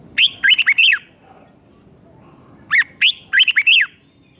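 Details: Red-whiskered bulbul singing a doubled five-syllable song, played for young birds to copy; two bursts of quick, bright, bouncing whistled notes about two and a half seconds apart, with quiet background between.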